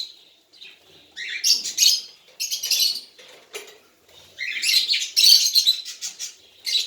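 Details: Baby cockatiel, hand-tame, uttering a series of hoarse, hissing chirps in uneven bursts, separated by short silences, louder toward the end.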